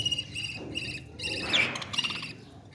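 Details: Parrot chick begging as it is fed: a brief series of four harsh, buzzy bursts with a thin squeak mixed in, over steady low background noise.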